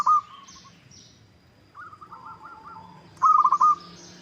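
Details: Local zebra dove lure call for prompting other doves to sing back: short cooing bursts, a quieter rippling trill, then a loud run of rapid beaded notes, over soft background chirping.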